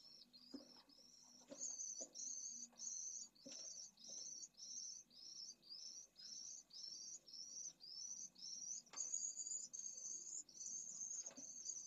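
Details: Pallid swifts at a nesting colony in a school in Jerez de la Frontera, Spain, in heat above 45°C, where a lone chick begs for food, give high, buzzy, two-part screeches about twice a second, with occasional soft knocks.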